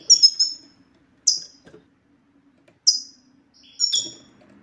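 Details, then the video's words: European goldfinch song used to make a male goldfinch sing: a few isolated high, sharply falling chirps spaced over a second apart, with near silence between them. "ستستة الحسون سوف تجعل الحسون ينطق رغم عنه"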